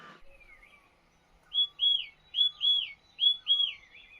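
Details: A wild bird singing in a Himalayan cherry-growing area of Himachal Pradesh, India, during harvest season: soft whistled notes, then repeated pairs of high, arched whistles, about four phrases in quick succession, with a brief rustle at the start.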